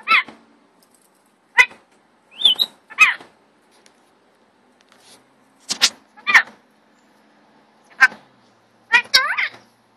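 A rainbow lorikeet talks in about eight short, voice-like bursts with rising and wavering tones, some sounding nasal and almost meow-like, with quiet gaps between.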